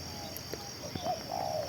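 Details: Spotted dove, a decoy bird claimed to call for two hours, utters one short low hoot followed by a drawn-out burry coo, backed by a continuous high insect hum and faint clicks.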